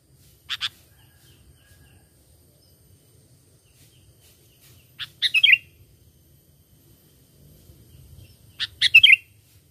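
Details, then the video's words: Bird-catching lure recording of a sooty-headed bulbul: a brief note, then two bubbly phrases of three to four fast slurred whistles repeated roughly every four seconds, over a faint low hum. "Pikat Burung Kutilang ISTIMEWA"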